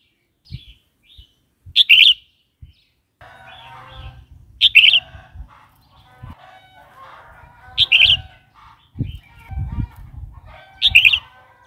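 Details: Red-whiskered bulbul singing, a track played to provoke newly kept or wild-caught birds and tutor chicks: four bright, bubbly three-note phrases about every three seconds, with soft clatter and low thumps between them.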